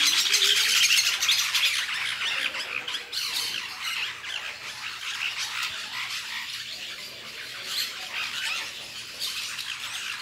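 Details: A flock of lorikeets eating fruit in La Fortuna keeps up a harsh, screechy chatter, with shrill squawks overlapping about three times a second and no quiet gaps.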